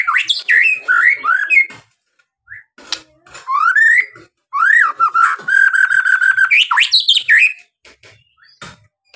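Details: White-rumped shama singing, a recording meant to stir other birds into song; rich warbled and whistled phrases, a rising slurred note, then a long trilled stretch with clicks between phrases.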